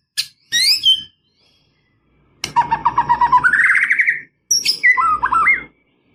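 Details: White-rumped shama singing a full, varied song meant to call up and provoke a rival: sharp whistled notes, then a steady run of buzzy trilled notes rising into a higher trill, and a final burst of quick twisting whistles, with faint low rumble beneath.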